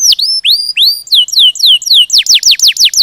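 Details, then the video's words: Canary song opening with a few slow rising whistles, then a series of falling chirps repeated about four times a second, growing faster and louder. "Kenari Ngerol Gacor"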